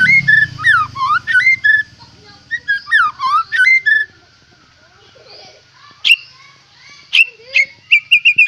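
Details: White-rumped shama, a caged fighter bird with a rich song repertoire, singing a quick series of varied looping whistles, falling quiet for about two seconds, then giving sharp chips and short whistled phrases.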